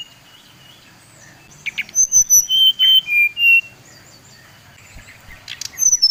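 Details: Brown-chested jungle flycatcher, Bali type, singing a lure meant to excite rival birds: after quiet low background hum, a brief burst of bright whistled notes wavers and dips, then fades before a last high note.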